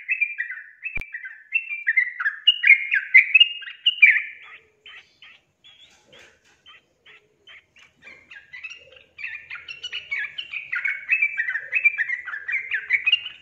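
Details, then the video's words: Yellow-vented bulbul song, a recording used to prompt lazy birds into singing: bubbly, gurgling whistled phrases of quick rising and falling notes, a quieter patch of short scattered notes midway, then a renewed lively burst; a sharp click near the start. "PANCING TRUCUKAN MALAS BUNYI JADI GACOR"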